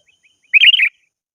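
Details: Sooty-headed bulbul calling to a rival: one short bubbly phrase of quick liquid notes, lasting under half a second, in otherwise silent surroundings.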